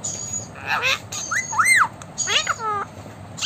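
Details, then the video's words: Talking blue Indian ringneck parakeet: short, speech-like phrases of arched, harmonic syllables rising and falling, three or four in quick succession, with a high thin tone behind. "talking blue parrot"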